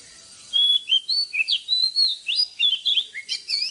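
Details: A morning oriental magpie-robin song used to train caged birds. Fluid, melodious whistles come in quick succession, some swooping upward, others dropping, forming a varied, unbroken phrase.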